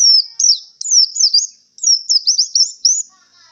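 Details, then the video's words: White-eye singing tired after performing in a singing contest: high, thin, twisting whistled phrases with rapid up-and-down slurs, given in two bursts separated by a short pause; no other sounds. "suara pleci kelelahan setelah pentas lomba"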